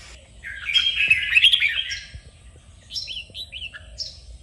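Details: Red-whiskered bulbul in a bulbul-training recording: one dense, loud warbled phrase lasting about a second and a half, then a few separate, quieter downslurred whistles and chirps.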